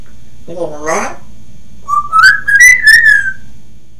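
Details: Grey parrot laughing and imitating a human voice: a brief harmonic laugh-like burst, a pause, then a run of pulsing whistled notes held near one pitch, indoors.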